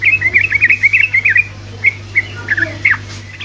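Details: Sooty-headed bulbul song used to provoke other bulbuls into singing: a quick run of bright chirpy notes in the first second and a half, then a few scattered short slurred notes, over a steady low hum.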